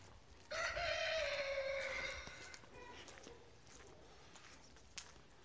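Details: Chicken crowing on a farm: after a short quiet, a bright, drawn-out crow of about two seconds that sags in pitch toward the end, then faint clucks and background noise.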